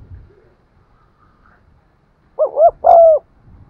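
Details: One full spotted dove coo for exciting decoy birds: two quick mellow hoots leading into a longer even note, after a stretch of low rumbling background.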